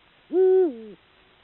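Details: Male Eurasian eagle-owl in breeding season hooting to mark territory from a perch: one deep, steady note that dips lower at the end into a quieter tail, lasting about 0.6 seconds, against a quiet background.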